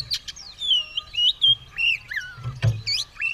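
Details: White-rumped shama (kacer) poised to fight with tail opened, giving long sliding whistles that rise and fall, mixed with quick chirps and a short click near the end.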